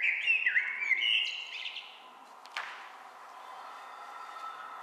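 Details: Common blackbird song on the Otago Peninsula, New Zealand: a mellow, rich, fluty warbled phrase of about two seconds ending in a thin high squeaky twitter, then a pause; its phrases keep changing rather than repeating.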